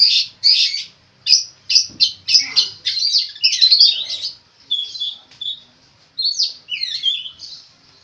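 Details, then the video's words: Long-tailed shrike, kept for training other songbirds, singing mimicked phrases: rapid harsh chirps and chatter at first, then slower whistled slurs and twisting high notes. "burung cendet gacor full isian unik"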